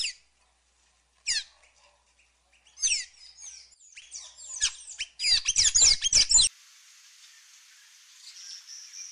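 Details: ['Scattered high chirps from a Sayaca tanager build into a dense, squeaky twittering burst, followed by a faint steady high hiss.']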